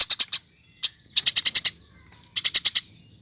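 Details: Eurasian tree sparrow song meant to coax other birds into singing: bright high chirps delivered in tight clusters of four to six, separated by brief silences.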